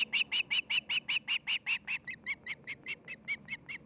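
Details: Osprey call from a nest camera in Charlo, Montana, 8 August 2018, afternoon: a long, rapid run of shrill whistled chirps, about two or three per second, loud at first and then slightly softer and thinner.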